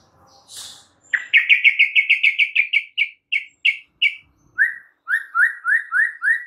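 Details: White-rumped shama lure song used to make other shamas agitated: a rapid run of sharp repeated notes that gradually slows, followed by a steady string of lower, slurred whistles repeated about twice per second.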